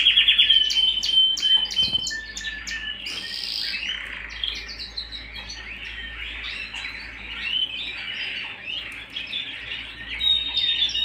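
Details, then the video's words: Canary at home gives clear whistled notes and high chirps, then a stretch of soft rolling warble, ending with another pure whistled tone. "canary bird - canary singing - canary sounds - canary singing at home"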